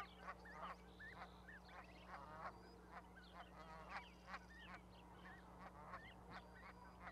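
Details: Geese with goslings on an osprey platform in Charlo, Montana, May 12, 2020: repeated honks and hoarse cackles, with higher whistled notes mixed in, against a constant low hum.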